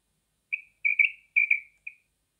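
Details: Female common quail calling as a hunting lure: a short sequence of five or six high whistled notes, some doubled, given in quick irregular succession and fading at each end, against complete quiet.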